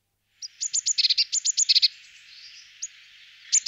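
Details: Eurasian blue tit singing a rapid run of short bright high notes, about a dozen in quick succession, followed by a couple of isolated thin notes over a faint hiss.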